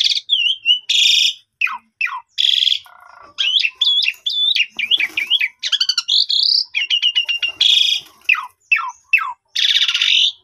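An Asian pied starling sings a busy, varied medley of clear whistles, harsh buzzy rasps and fast chattering trills, with quick high notes and brief pauses.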